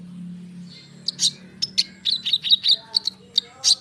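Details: Konin bird singing densely as a lure to draw responses from other birds: a low steady hum at first, then a quick series of sharp high chirps and short trilled bursts, closely packed toward the end.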